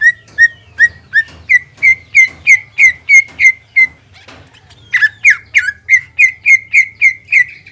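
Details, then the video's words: Caged greater green leafbird singing as bait to excite a rival: rapid loud whistled notes, each slurring downward, in two long runs split by a short pause, with a constant low hum behind. "CUCAK IJO GACOR MEMANCING BIRAHI AGAR CUCAK IJO LAWAN JAMTROK HIPER TETAP TERKUNCI"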